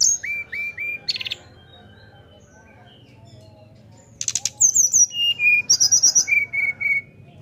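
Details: Caged Sunda forktail singing open-billed to provoke other birds to sing: three short, clear mid-pitched whistles and a buzzy burst, a pause, then a quick run of thin high whistles and falling notes.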